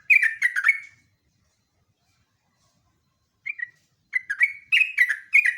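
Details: Sooty-headed bulbul master and lure song: a rapid trio of rich whistled notes, a long gap, a lone note, then a dense run of bright slurred whistles.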